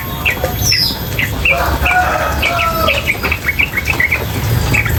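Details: Sooty-headed bulbul, female, with a backdrop of flowing water: a run of short, sharp high chirps repeated unevenly, mixed with a few longer, lower whistled tones and a brief high sweeping note early on.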